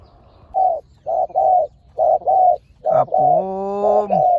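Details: Spotted dove cooing during decoy trapping, with both birds fierce. Evenly spaced double coos repeat steadily. A man's voice briefly overlaps near the end.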